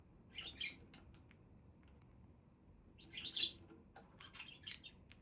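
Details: Budgies giving two short bursts of high, scratchy chirping warble, about three seconds apart, with quiet pauses between them in an indoor setting.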